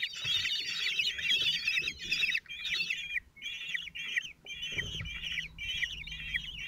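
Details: Four 17-day-old common kestrel chicks in a nest in Théding, France, lined up as the male feeds them on 27 June 2023, give harsh, shrill, scratchy screeches in quick bursts of about two per second over faint low rumbles.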